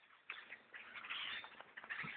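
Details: Vast blackbird flock around a bow hunter's tree stand, possibly starting to leave, producing a steady wash of shrill chattering and squeaking calls that builds toward the end.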